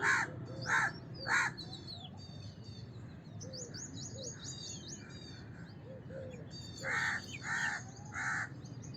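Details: House crow calling: three loud, harsh, nasal caws in quick succession open the recording, then a quieter stretch with thin high chirps from small birds and a few soft low notes, before three more rasping caws at the end.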